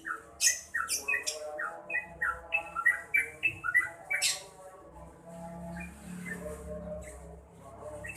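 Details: Talkative yellow-vented bulbul pours out a rapid chatter of slurred, bubbly notes, loud at first and then softer, with a few sharp clicks and a low droning hum.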